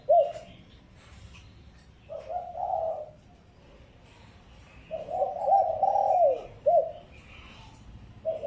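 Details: Spotted dove lure call used to attract wild doves: low hollow coos around 600-700, in phrases of several notes with short rising-falling slurs, repeated after pauses of about two seconds.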